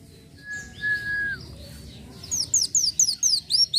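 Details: Van Hasselt's sunbird singing gacor isian. A drawn-out even whistle and quiet warbling lead into a string of loud, high, rising chirps.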